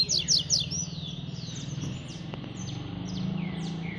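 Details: Tui-tui style singing by a spirited, fast double-collared seedeater. Three loud buzzy high notes lead into thin down-slurred whistles over a steady low hum.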